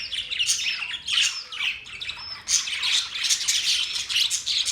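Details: Budgerigars chirping: a dense, continuous chatter of many high, scratchy chirps and warbles with short whistles, several birds calling at once.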